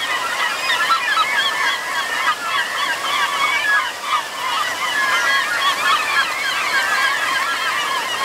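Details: Several varieties of gulls line the rocky shores at Damariscotta Mills, Maine, catching alewives heading up the fish ladder to spawn; a dense chorus of overlapping squealing, yelping calls runs throughout, with rushing water beneath.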